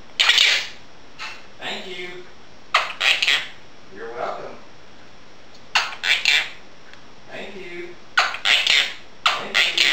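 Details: Pet female Quaker parrot talking indoors while dishes are washed, taking a while to warm up: bursts of high, speech-like chatter and squawky syllables in short phrases separated by pauses.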